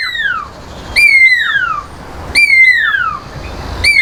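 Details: Pearl-spotted owlet calling from the edge of its enclosure in the bird gardens at Montecasino, Fourways, Johannesburg; loud descending whistles, each sliding down in pitch, given in bursts of three about every 1.4 seconds over faint background hum.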